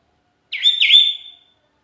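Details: Sooty-headed bulbul, alone and calling to its flock mates, recorded as a lure: one rich phrase of two slurred whistled notes that trails into a thin fading whistle.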